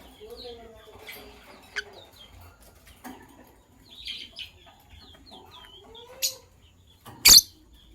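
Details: Sky blue opaline and green opaline lovebirds in the morning: scattered high chirps and short rising notes, with sharp loud shrieks near two seconds, six seconds and seven seconds, over softer lower warbling from other birds.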